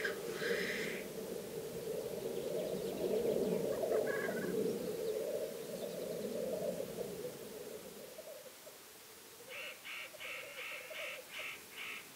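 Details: Black grouse watched from a hide over a weekend: a loud, rich, rolling bubbling murmur sustained for about eight seconds, then fading. A brief higher call comes near the start, and six quick higher pulses follow at the end.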